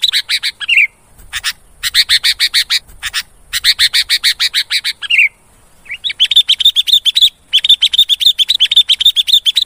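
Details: Sooty-headed bulbul, a recording used as a lure call for wild bulbuls, giving fast bursts of bright, chattering notes, several per second, broken by brief pauses and ending in sweeter, rolling phrases.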